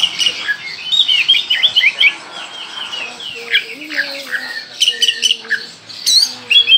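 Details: Oriental magpie-robin from Kalimantan singing vigorously in full-burst style, a rich varied stream of rapid twittering, slurred whistles and trills, with lower tonal notes from another bird underneath.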